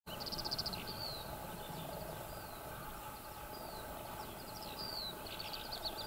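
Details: A Eurasian skylark (Alauda arvensis arvensis) singing on the ground: high, rapid warbling with short trills and thin slurred whistles over a steady low rumble of wind or distant traffic.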